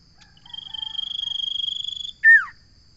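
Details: Singing common iora delivers a long, even, rapidly pulsed high trill lasting over a second, then breaks into a loud whistled note that swoops sharply downward. A steady thin whine persists in the background.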